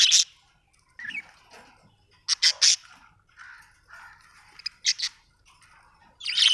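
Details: Budgie making harsh, squawky chirps in pairs and single bursts, mixed with softer warbled mid-pitched notes between the louder calls.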